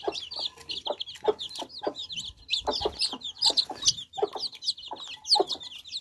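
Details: A group of baby chicks drinking fresh water fills the air with loud, overlapping, high, wavering peeps, with frequent sharp taps and little background noise.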